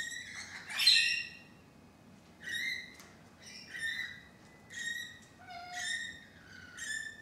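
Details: Thirteen rainbow lorikeets gathered on a balcony, giving repeated nasal, squeaky squawks, each about a second long and recurring every second or so, over a quiet background.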